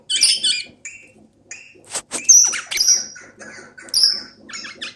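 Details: Hand-tamed pet eastern rosella (Platycercus eximius) "laughing": a run of high, squeaky chatter and chirps with several sharp whistled notes and quick broken bursts over about five seconds.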